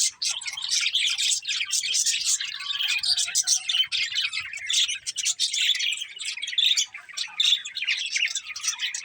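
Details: Budgerigar chirping, clean and dense: fast scratchy warbles, clicks and short whistled squeaks from several birds overlapping without pause, no other noticeable sounds.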